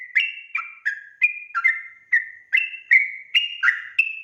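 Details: Lure song of a sooty-headed bulbul, the lively 'gacor' singing meant to draw quick replies: quick liquid chirping notes, each sliding up or down, delivered about every third of a second without pause.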